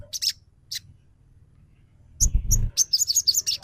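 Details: Spotted crimson sunbird lure call used to provoke a bird into singing, emotion and display: short, very high chirps and trills, sparse at first, then a rapid chattering run of notes over low thumping noise.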